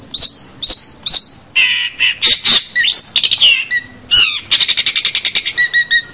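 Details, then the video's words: Long-tailed shrike master song for young birds, mixing high chips, harsh scratchy bursts, a rising whistle and a fast rattling series of repeated notes. "suara masteran cendet full gacor"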